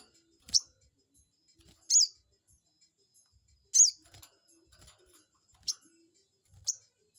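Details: Lure of a crested jay used to anger a rival bird and make it reply: piercing high chirps with fast pitch sweeps, six calls at irregular intervals of one to two seconds, otherwise quiet.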